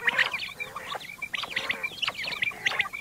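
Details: Common quail giving its morning call: dense chattering clusters of short, sharp notes mixed with squeaky tones, repeated steadily through a few seconds.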